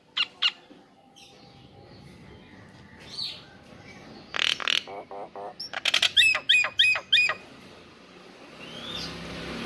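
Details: ['Male Nias hill myna calling to a female, sharp whistled notes and harsh squawks in a fast burst of repeated high calls, after a few isolated clicks and a faint murmur.']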